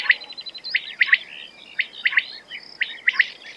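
Quail calling with sharp, clipped chirps, often in quick pairs, repeated about once a second, with fainter high twittering notes behind.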